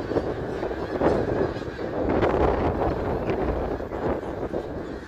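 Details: Snow geese massed at Middle Creek Wildlife Area on 3 March 2022; countless honks blend into a steady roaring chorus, loudest between two and three seconds, then easing slightly toward the end.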